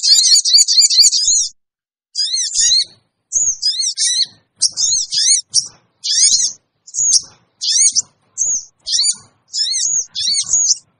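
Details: Lure calling of sogon, sooty-headed bulbul, to attract wild birds: a quick chattering opening followed by a steady series of about a dozen short, squeaky, sharply rising-and-falling notes spaced under a second apart.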